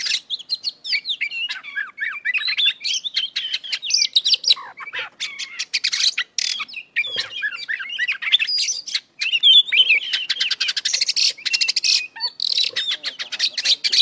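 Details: Long, continuous 'gacor' singing of an Oriental magpie-robin (kacer) full of 'isian' fills, a restless stream of twittering whistles, fast rattling chips and buzzy trills with only brief breaks.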